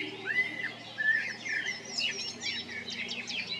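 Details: Male common blackbird in Zagreb, Croatia, at Jarun or Prečko, April–May 2022, giving low mellow fluted whistles that break into a squeaky, rapid twittering flourish of high notes.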